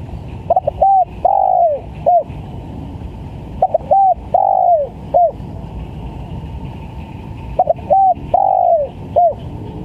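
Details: Three repeated coo phrases from a spotted dove used as a trapping lure, each a stutter, short coo, long downward-sliding coo and short final note, with pauses of about two seconds and a faint steady hum behind.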